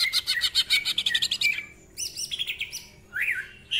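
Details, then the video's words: Cucak ijo, greater green leafbird, singing fiercely: a fast train of buzzy raspy pulses, then looping whistled notes and a rising slur, with short pauses. "Cucak Ijo Gacor Ngentrok Full Isian, Nembak Rapet Suara Kasar Isian Mewah"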